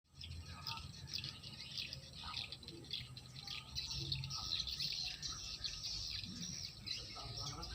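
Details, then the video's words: Swiftlets calling: a dense, continuous chorus of high, sharp chirps from many birds overlapping over a steady low rumble. "SUARA WALET ASLI ORIGINAL"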